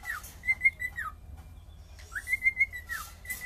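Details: A singing cockatiel gives two slow whistled phrases, each sliding up to a wavering held note and dropping away, separated by a short quiet gap, with faint clicks.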